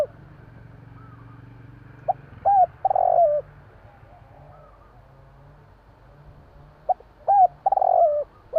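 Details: Spotted dove of the Javanese type calling at night: two coo phrases separated by a long quiet gap, each made of short notes, a hooked coo and a buzzing rolled coo.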